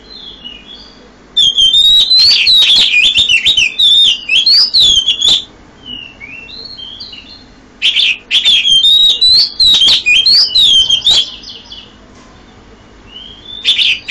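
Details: Oriental magpie-robin in early-morning song at 5 a.m.: two long loud bursts of varied whistles, trills and sharp chips, separated by quieter faint whistled notes.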